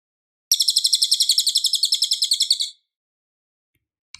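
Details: Clear, loud cililin singing used to tutor a white-rumped shama: a single sharp, quickly repeated buzzy trill of a little over two seconds, followed by silence and a faint click.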